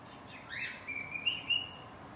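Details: Pet cockatiel singing while hiding: a brief soft note, then a clear whistled tone that rises and holds level for over a second, with two brighter accents near its end, over a quiet indoor background.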